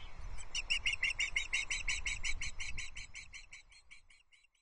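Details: At the Loch Arkaig osprey nest on the morning of 22 June 2024, as the male brings a trout to the chicks, a fast train of whistled chirps, about three per second, fades out toward the end over a low rumble.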